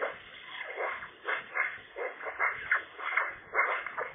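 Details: Eurasian magpie at the nest while guarding its ownership on a sunny, chilly day; continuous scratchy warbling with rasping syllables and thin squeaks, in irregular swells roughly every half second.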